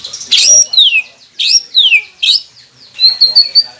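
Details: Masteran of a white-rumped shama for coaxing caged birds into song. Loud, clear downward-sweeping whistles come in pairs, followed by a short series of thin, high repeated notes.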